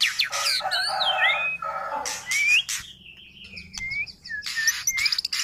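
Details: A black-billed magpie's varied song of harsh, chattering bursts mixed with clear sliding whistles, some rising and some falling, delivered in quick uneven phrases.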